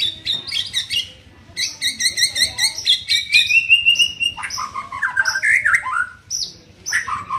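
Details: Young white-rumped shama being trained: a rich, varied song of rapid high chirped notes, clear ringing whistles and a long rising slur, followed by lower warbled phrases, with short pauses between bursts.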